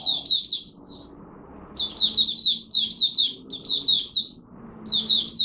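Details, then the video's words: Oriental white-eye from Malaysia, known locally as mata puteh, singing its first morning warm-up on 1 August 2023. Clusters of sharp, high, slurred twittering notes come in short phrases with brief gaps, over a low background hum. "Malaysian Mata Puteh Buka Sing"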